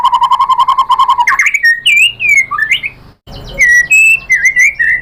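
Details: Lure song of a white-rumped shama meant to trigger a rival: a quick train of repeated notes, then varied whistled phrases sliding up and down after a short pause.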